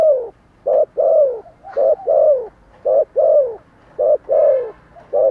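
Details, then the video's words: Cooing spotted dove in full voice, with a regular series of low coos alternating a brief clipped note and a drawn-out falling coo, closely spaced and even in rhythm. "Thổ Sấm gáy gọi, thúc gù rất sung"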